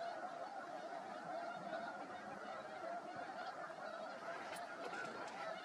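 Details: Thousands of snow geese on the ice of Freeze Out Lake, Montana, during spring migration in March, some walking among the flock and honking; a steady wall of layered honking calls fills the whole recording.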